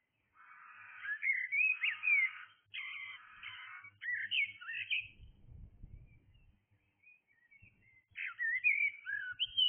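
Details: Early-morning blackbird song with rich, fluty warbling phrases and twittery flourishes, a quiet gap with a brief low rumbling noise midway, then another whistled phrase resumes.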